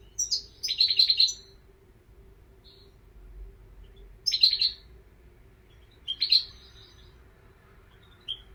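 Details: Goldfinch song in three separated bursts of fast, liquid, high twitters and ticks, each lasting about a second with quiet pauses between. A steady faint hum sits underneath.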